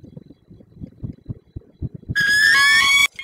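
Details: Peregrine falcon at its nest in Słupsk, 5 April 2022, leaving a prey gift and then meeting its mate. Low scuffling taps, then a loud, harsh, slightly rising wail lasting nearly a second.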